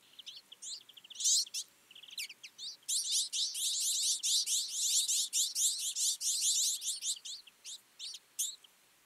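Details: Twite flock feeding in winter, producing loud, nearly continuous high twittering, a fast string of chirps about two per second that rises to a steady chatter, then trails off.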